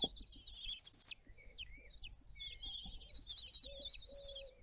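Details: Common kestrel family at mealtime on the nest balcony in Théding, France, 20 June 2022, on nest webcam; a loud harsh wavering call opens, then quieter chirps and a long trembling trill, with brief lower notes.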